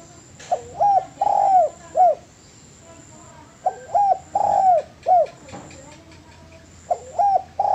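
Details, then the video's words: Spotted dove song from a training master recording, phrases of short hooked notes around a long bending coo, repeated about every three seconds, with a faint background hum. "MASTERAN DERUK"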